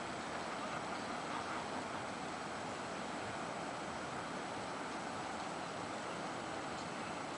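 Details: A steady, even broadband rush like flowing water or surf at a river beach in Valladolid, with no animal voices.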